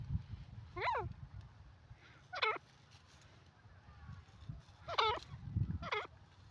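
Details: Desi teetar francolin calling with four sharp, ringing, rapidly modulated notes spaced irregularly across several seconds; low rumble and murmur underneath.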